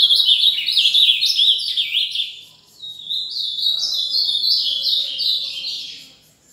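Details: Azulão mineiro, the ultramarine grosbeak, singing fast: a loud, rapid warble of tumbling whistled notes, a brief dip in volume around the middle, then a second run of quick slurred notes trailing off.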